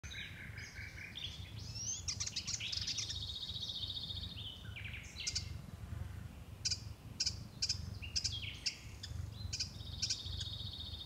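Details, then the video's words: Eastern subalpine warbler (Sylvia cantillans albistriata) at Lake Kerkini National Park, Greece, in April 2024, singing a fast, scratchy warble of high chattering notes and short trills in bursts over a low steady rumble. "Fauvette des Balkans (Sylvia cantillans albistriata) Eastern Subalpine Warbler"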